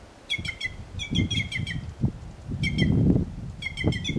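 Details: A free-living white-naped jay sings in nature: four groups of rapid, bright, ringing notes, each group lasting under a second, against a murmur of wind and leaves.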